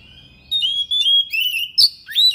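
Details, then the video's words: Thick-billed kacer (Oriental magpie-robin) in sharp, insistent song packed with mimicked fill-in phrases: a run of high, piercing whistled notes, some held and some wavering, with a quick upward-swooping note near the end. "KACER PARUH TEBAL SUARA PERIH NGOTOT BONGKAR ISIAN"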